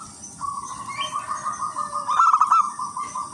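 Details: Wild local zebra dove singing as a lure for other zebra doves: a long, even rolling purr lasting several seconds, broken near the end by a brief louder stuttering trill, with faint hiss.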